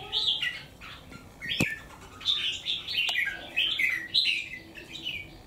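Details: Wild-caught bird kept three months in a cage, one white claw, singing hard against a rival: bright chirped notes repeated in rapid bursts, with two sharp clicks early on.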